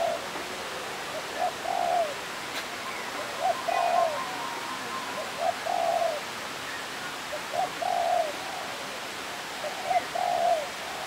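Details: Displaying European turtle dove at a Kuala Lumpur bird park in Malaysia, giving low, rolling purred coos in pairs and triplets about every two seconds over a constant roar of falling water.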